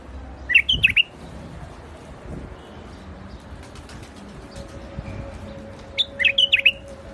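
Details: Rooftop-garden white-eared bulbul, called the Iraqi bulbul, delivers a bubbly whistled phrase, pauses about five seconds amid faint ticks and hum, then repeats a similar quick warble.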